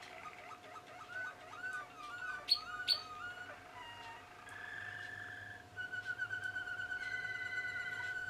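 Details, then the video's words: Young 2016 Malinois Waterslager canaries: curving, gurgling water notes and two sharp high clicks, then long held whistled tones and rapid high trills at shifting pitches, all over a steady low hum. "MLADI - 2016 (malinois waterslager)"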